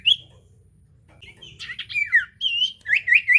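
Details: Common iora song used as a lure to get a silent iora singing: a high whistled note, a pause, then a run of quick, twisting, warbled whistles rising and falling.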